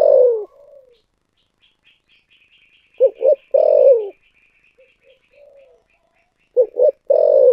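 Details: Spotted dove singing in the prized 'giọng thổ sấm' (thunder voice) style: deep cooing phrases of two short notes and then a long, falling coo, repeated with soft low coos between them, and faint high chirping behind.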